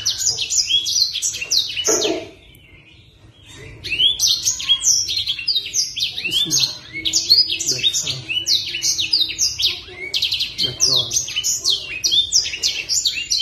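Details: Caged black sunbird in Indonesia singing energetically: dense, rapid bursts of high, sharp chirps and slurred notes, a short pause after two seconds, then continuous twittering phrases with brief gaps until the end.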